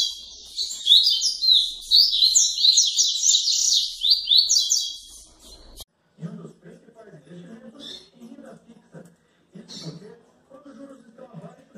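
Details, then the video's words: Captive double-collared seedeater in Santa Catarina, Brazil, singing tui-tui style late at night: about six seconds of fast, high warbled slurred notes, then the song stops and a man speaks. "COLEIRO TUI TUI ALTAS HORAS"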